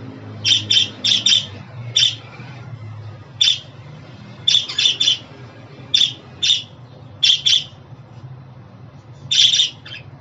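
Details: Domestic budgerigar calls: about fifteen quick, scratchy chirps in clusters of two or three, with short gaps between bursts and a soft low hum underneath.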